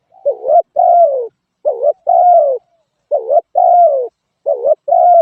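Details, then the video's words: Spotted dove giving steady hollow coos, each phrase a short note followed by a longer falling one, repeated roughly once a second against a quiet background. "suab nquab lauj kaub tawg เสียงนกเขาใหย่"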